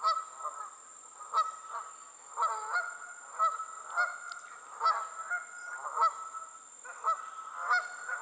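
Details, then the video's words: On the wing, a group of geese keeps up a run of honking, clipped nasal calls in a loose rhythm of about one per second, with faster double notes in between and a steady hiss behind. "Geese On The Wing"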